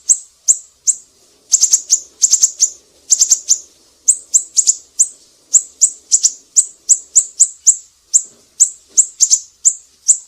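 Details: Actively singing siri-siri recorded as a tutor for cucak ijo, murai batu and kacer; long run of very high sharp chirps alternating tight bursts of four or five notes with evenly spaced singles, faint low hum beneath.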